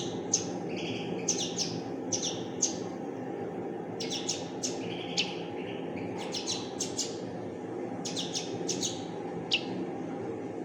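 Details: Common linnet fledgling chirping in small clusters of high, sharp notes over a constant low hum of background noise.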